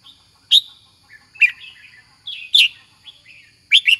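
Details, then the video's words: Red-whiskered bulbul, a kept singing-contest bird, gives bright, bubbly warbled phrases about once a second, rich and mid-to-high pitched with quick rising and falling notes. "Red-whiskered Bulbul"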